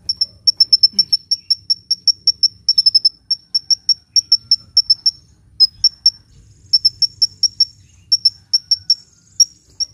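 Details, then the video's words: Energetic hummingbird song used for luring and stimulating quiet birds to sing: an almost continuous string of crisp, high-pitched chirps, evenly repeated, with a few short breaks. "SUARA BURUNG KOLIBRI GACOR‼️ [bisa buat pikat & yg males bunyi"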